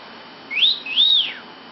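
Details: Lovebird kept in a bedroom, uttering two arched whistled notes in quick succession, each rising and then falling, high and clear against faint room hiss.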